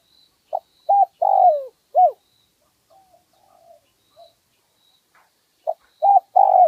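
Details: One-kuk song of a wild spotted dove with a medium voice, taped in 2020 as a calling recording: a full four-note cooing phrase with a long sagging third note, a quiet pause with faint soft notes, then the phrase starting again.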